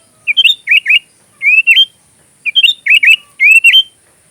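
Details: Sooty-headed bulbul (kutilang) song, filler material for magpie robins: the same cheerful, bubbly three-part whistled phrase sung twice, about two seconds apart, in a quiet setting.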